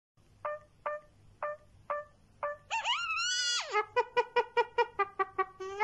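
A myna mimicking sounds: five short clicking notes, then a loud, brassy, wavering phrase, then a fast run of rich, nasal repeated notes.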